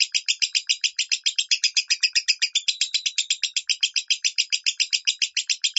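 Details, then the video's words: Tutor recording of lovebird 'minor' song for training: dense, fast stream of rasping chirps, about seven a second, a little irregular in spacing, with no other sounds. "MASTERAN LOVEBIRD SUARA MINOR"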